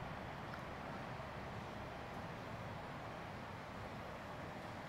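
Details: Constant low roar of wind or distant traffic filling the whole recording.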